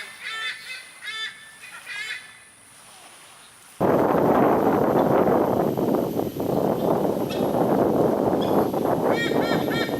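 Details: White-bellied sea eagles in a nature park in Singapore, giving a raucous chorus: loud, goose-like honking notes in quick series, about two per second, then buried under heavy wind roar.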